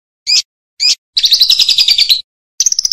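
A lovebird sings loud, shrill notes: two short squeaky chirps, then a long rapid chattering trill and a quick burst of high clicking notes.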